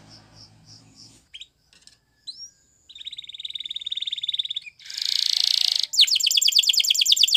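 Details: Canary training song heard with other soft sounds: a few pulsed notes and short slurs, then a steady fine trill, a dense harsh buzz, and a closing burst of quick descending notes.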